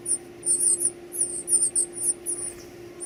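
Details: Nestlings calling while being fed: rapid, piercing high squeals run together in busy clusters about twice a second, with a low constant hum underneath.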